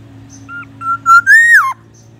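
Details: Singing Black-naped oriole, said to imitate White-rumped Shama and an ambulance siren: short whistles lead into a sustained tone that rises and arches before dropping steeply, strong overtones above, over a low steady hum.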